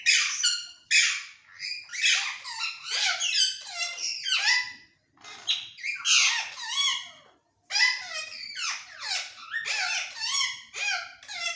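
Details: Pet Indian ringneck parakeet, kept indoors and said to be happy with companions, giving dense runs of harsh, chattering, rapidly repeated squawks and chirps in bursts, with two brief pauses.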